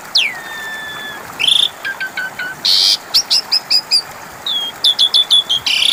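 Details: An Asian pied starling sings to coax silent birds into answering: a swooping descending whistle, harsh noisy bursts and evenly repeated short clipped notes in series.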